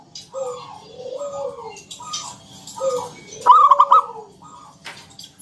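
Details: Local zebra dove song, 'ngalun kung bulat' style, used to lure other doves: several soft arching coos from other birds lead into one loud quick burst of pulsed notes, followed by a faint coo.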